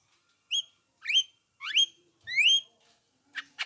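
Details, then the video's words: Black-winged myna voice used to prompt other mynas to answer: rising, slurred whistles repeated about every half second, each sweeping up and levelling, followed by two short harsh notes. "apapun jalaknya jika diputarkan suara jalak kebo ini pasti langsung nyaut"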